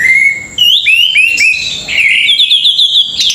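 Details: Orange-headed thrush singing a string of clear whistled notes, climbing and sliding phrases followed by a quick run of repeated high chips, loud and close.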